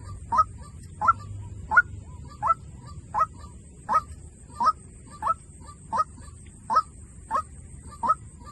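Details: Repeated White-breasted waterhen decoy notes, thirteen sharp, clipped honking calls evenly spaced about 0.65 seconds apart, with a faint continuous high-pitched hiss and light low background noise.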